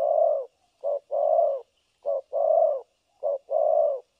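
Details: Spotted dove serving as a trapping decoy, 3 December 2022, cooing nonstop in the thổ cấn sấm nước style, with short-long paired coos, soft and hollow, repeating steadily about every 1.2 seconds.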